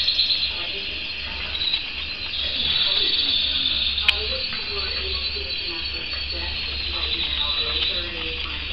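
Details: Canary delivering a continuous high, rolling trill that wavers in loudness throughout, with a steady low hum in the background and one sharp click midway.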